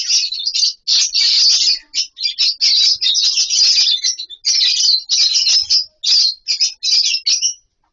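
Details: Captive lovebird colony chattering: rapid bursts of piercing, high chirps follow one another with short gaps, ending in a few clipped squeaks.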